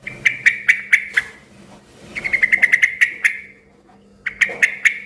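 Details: Yellow-vented bulbul calling noisily to draw replies from other bulbuls: series of sharp evenly spaced chirps, one run of quicker notes in the middle, over a low steady background hum.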